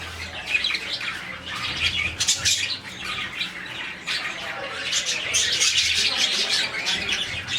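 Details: A colony of about 40 budgies chirping in the morning fills the air with overlapping high, scratchy chirps and squawks that rise in bursts and never pause.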